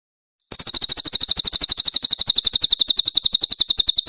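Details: Cililin, the grey-headed canary-flycatcher, delivering harsh rapid-fire song for training songbirds: after half a second of silence, a steady stream of piercing high chips, roughly eight to nine per second, continues to the end.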